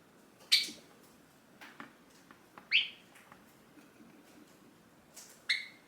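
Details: Hand-tame pet Java sparrow, caged and watching its owner, calling out as the owner gets up to leave; three sharp, bright chirps spaced about two to three seconds apart, with faint softer chirps between them in a quiet room.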